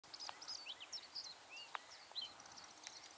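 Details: Common reed bunting calling: a quick scatter of thin, high chirps and short down-slurred whistles over a few seconds, with brief clicks and a soft background hiss.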